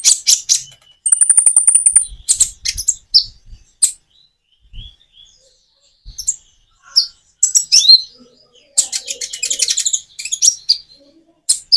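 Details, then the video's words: Common iora song with natural pauses, intended to make birds that seldom sing respond: bursts of high twittering and chirps, one thin steady whistle, then quiet spells and renewed rapid chattering. "Kicau burung konin jeda natural untuk pancingan"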